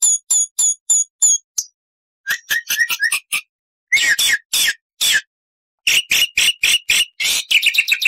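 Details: Varied full song from a black-winged starling mixing long and short bursts: quick high squeaky notes, a pause, harsh grating calls, loud raspy screeches, and then a fast chattering series.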